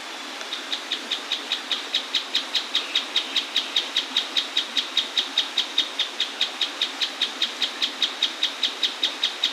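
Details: Mouse-colored Tapaculo (Scytalopus speluncae) singing beside a waterfall in Brazil's Atlantic Forest: a long, steady series of sharp, high notes, about two or three each second, over the constant rush of falling water.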